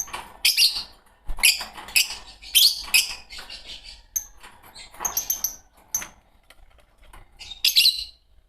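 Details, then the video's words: Two green Fischer's lovebirds chirping: a quick series of harsh, shrill, high chirps in bursts, with thin short whistles and light clicks between them. "Lovebird sounds - Lovebird singing & chirping sounds -Green Fischer Pair"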